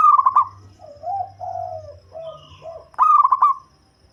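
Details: A deep-voiced local zebra dove, suited to attracting birds for trapping: a rolling, trilled coo, a run of lower mellow coos, then another bubbling trill.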